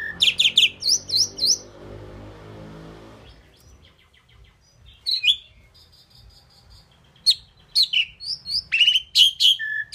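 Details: Indian pied myna known for talking, reportedly saying "mynah"; a burst of repeated V-shaped whistled notes opens, followed by a quiet stretch with faint notes, then sharp chattering calls return near the end.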